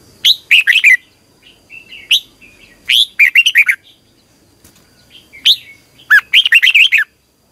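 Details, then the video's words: Red-whiskered bulbul trained to sing in the morning, repeating lively phrases of fast, looping whistled notes roughly every three seconds, with softer chirps filling the pauses. "Luyện chào mào hót sáng 2020 - Ép chào mào hót Giọng kép xoắn dài hay tuyệt, luyện chào mào hót"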